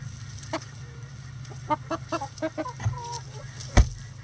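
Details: Backyard chickens on an ordinary day, giving a quick series of about eight evenly paced, short harmonic clucks, a couple of drawn notes, and a sharp thump near the end, over a low rumble.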